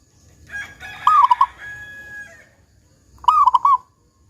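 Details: Local zebra dove (perkutut) with a big 'kung' voice, used to coax other doves into song: a rooster crows loudly over the first cooing phrase, then a clear phrase of a gliding coo and rapid rolling notes follows.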